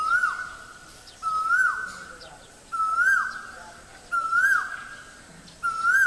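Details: Male Asian koel calling at Guwahati, Assam, India: loud, clear whistled notes that rise then swoop downward, repeated roughly every one and a half seconds, with faint background hiss.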